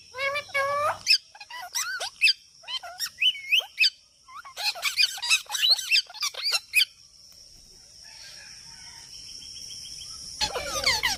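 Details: Parrot calling: a series of sharp, squeaky whistles and rising-falling squeals, bunched in short bursts, then a quiet stretch with soft background hiss before more squeaky notes at the end.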